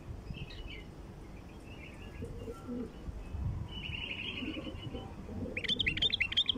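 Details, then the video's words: Calls of a bulbul, used to attract wild bulbuls: faint buzzy chatter early, a longer trilled buzz in the middle, and a closing run of bright, sharply looping whistles, over constant low noise. "طياريات بلبل خام لفتح البلابل الوحشية"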